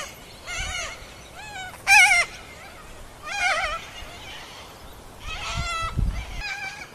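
Sulphur-crested cockatoos giving a run of nasal, wavering, bleat-like calls, about eight in seven seconds, the loudest a harsher squawk. A low background rumble runs underneath.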